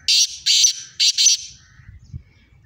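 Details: Black francolin of the Sindhi kind, in a calling match with another bird, gives four loud rasping notes in quick pairs, followed by quieter background rumble.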